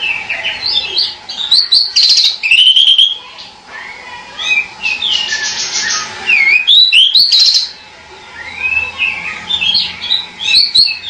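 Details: Pied bushchat delivering a long run of rich whistled and warbled phrases, some looping upward, separated by short pauses, with a faint constant hum underneath.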